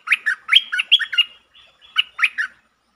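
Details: Streak-eared bulbul lure bird, recorded 13 February 2023, delivering long and doubled song styles: a rapid string of liquid, chirpy, up-and-down notes about four per second, a brief pause, then a shorter second phrase.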